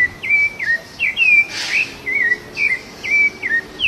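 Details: A wild, free Rufous-bellied thrush in nature, singing while feeding, gives short, clear whistled phrases that slur up and down, about two a second, with one brief rustling burst midway.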